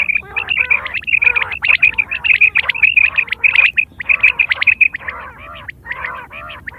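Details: Quails recorded in September 2023 for hunting and mating: rapid stream of sharp, ringing, harmonic notes at roughly one and a half per second, pausing briefly midway, with overlapping callers.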